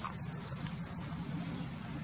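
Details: Yellowhammer singing in the town of Wittlich in 2019: seven quick, evenly spaced high buzzy notes followed by a long, drawn-out thin final note.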